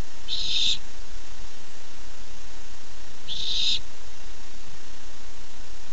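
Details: Barn owl owlet thrilled at an incoming treat, filmed by nest camera 13 July 2015: two grating, hissy screeches about three seconds apart over faint steady hum.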